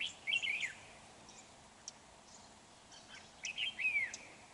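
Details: Lure red-whiskered bulbul during trapping, 31 January 2019: two bright whistled phrases, each a quick warble ending in a falling slur, separated by a quiet gap with a single click.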